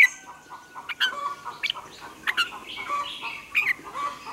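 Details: Red-whiskered bulbul singing in the morning as a training song for caged birds: short bright whistled phrases around two to four kilohertz, with sharp upward notes recurring about every second and quieter warbling between.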